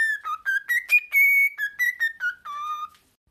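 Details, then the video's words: Pet cockatiel whistling a melodic tune: stepped notes rising and falling, a long sustained high whistle in the middle, ending on a lower drawn-out tone. "cockatiel bird singing and talking"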